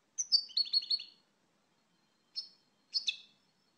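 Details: European goldfinch giving a short trilled phrase of about five quick notes, then two isolated bright chirps after a pause; faint and clean recording.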